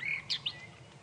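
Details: A wet Groundscraper Thrush, probably calling to find a mate, gives a short whistled phrase at sunrise on a stormy morning, 2 November 2016, on a South African safari drive: a clear, slightly falling note, then two quick higher chirps, over a faint low rumble.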